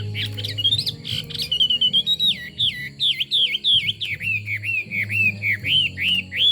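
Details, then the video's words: Rich whistled song of a Chinese hwamei: a rising opening, then a series of strong dipping, looping notes repeated at a steady fast pace, growing louder toward the end over a low background hum. "Họa mi hót"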